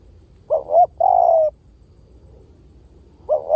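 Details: Spotted dove used as a lure, giving one complete phrase of two short wavering notes and a longer, gently falling coo. A new phrase begins as it ends.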